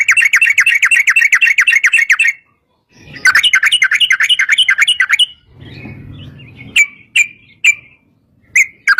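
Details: Sooty-headed bulbul lure song with long rapid trills, meant to set other bulbuls singing: two quick rolling bursts of chattering whistles, low rumbling noise, then widely spaced single sharp notes.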